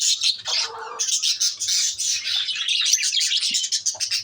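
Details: Pet lovebirds keeping up an unbroken, shrill stream of fast twittering chirps and squeaky notes, with a short lower scratchy note early on.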